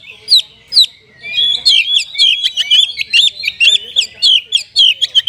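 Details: Prolific Oriental magpie-robin singing a richly filled song meant to prompt lazy magpie-robins to sing: two isolated whistles open, then a fast run of chirps, slurred whistles and trills, about two notes a second.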